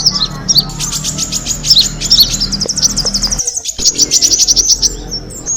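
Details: Kemade bird chatter played to draw in birds: rapid runs of high ticking chirps repeated in quick series, a brief near-silent gap midway, then another fast trill of clicks over low hum.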